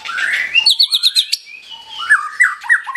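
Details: Energetic white-rumped shama phrase: a rising slurred whistle, then a run of about six quick high notes, a pause, and a lower series of rhythmic chopped notes repeated several times a second.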